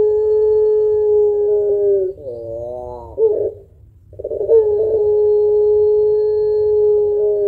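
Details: Long-voiced spotted dove of the puter pelung kind, with a thick final note, singing to stimulate other birds. One held level coo slides slightly lower, breaks into a trembling warble, pauses, then resumes as another long steady tone.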